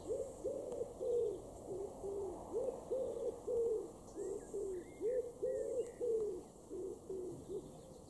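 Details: A common wood pigeon in a garden in Weener, East Frisia, northwest Germany, in June 2021, gives deep, husky coos in a steady rhythmic phrase, repeated several times; faint thin chirps of another small bird come through in the middle.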